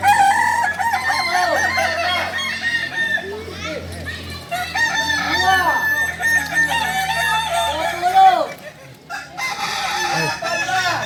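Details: Native Solok singing roosters of the Kukuak Balenggek breed training their crow: long layered crowing from several birds with stepped, looping syllables, a brief quieter break after eight seconds, then crowing resumes.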